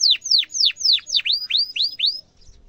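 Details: Canary in emotional 'cuit cuit' song used to teach young canaries: eight loud, clear whistled notes, the first five sliding steeply down, the last three rising, evenly spaced about every quarter second.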